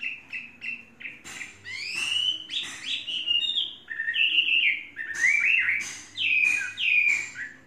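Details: Three-season tame Chinese hwamei: a few short whistles, then a long varied medley of upslurred and downslurred melodious notes, with scattered sharp clicks throughout.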